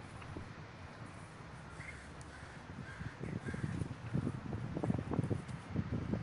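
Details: Crows massed in a large communal gathering in Davis, California: a quieter stretch of distant cawing that builds into loud, crowded, overlapping caws in the second half.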